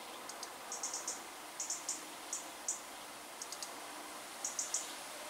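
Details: European robin parents breeding on a balcony, loudly scolding after being disturbed at their nest, with sharp, high ticking clicks in quick runs of two to four, repeated every half second or so over a faint hiss.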